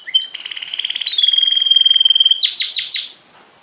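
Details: A song-training canary, taught by a tutor bird set beneath it, sings a rapid rolling trill. The trill fades into a long, steady, pure whistle, followed by four sharp, descending chirps.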